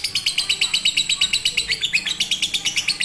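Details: Lovebird in fighter or konslet style, a master song for lazy singers: fast, regular, piercing chirps of about six per second, tumbling in an unbroken rattle.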